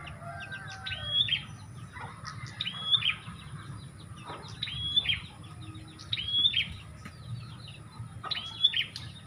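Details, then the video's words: Lure call of a bar-winged prinia, used to draw birds in: high, abrupt notes falling downward, given in short clusters roughly every one and a half seconds, with scattered faint chirps and steady low noise behind. "Suara Pikat Burung Prenjak"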